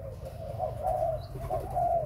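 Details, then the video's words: Breeding spotted dove cooing: soft, low rolling coo phrases repeated across a short stretch, over a steady low rumbling background. "Cu gáy sinh sản"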